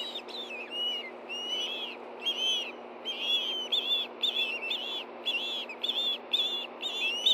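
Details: Pair of ospreys food calling at their Montana nest in Hellgate Canyon while one gets a fish, 7:39 p.m., 9 September 2013, nest camera; slurred, high whistled yelps, sparse at first, then repeated about twice a second.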